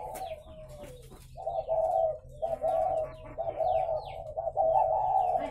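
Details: Farm-kept spotted doves in Ba Vì district near Hanoi, Vietnam, producing long, buzzy coos in near-continuous sequence after a quieter start, thin high whistles faintly above.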